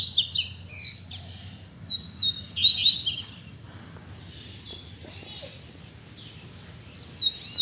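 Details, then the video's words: Captive double-collared seedeaters singing after days the owner thought would bring moult: two bursts of high, rapid whistled and trilled phrases with sweeping notes, separated by quiet gaps, then a short phrase at the end over low hum. "OLHA SÓ COMO MEUS COLEIROS ESTÃO CANTANDO!!!"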